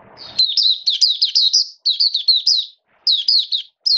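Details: Caged Oriental white-eye in song form, kept on a diet adjusted for wet rainy weather, singing rapid high twittering phrases of warbled, wavering notes in bursts separated by short pauses; a brief low rustle at the start.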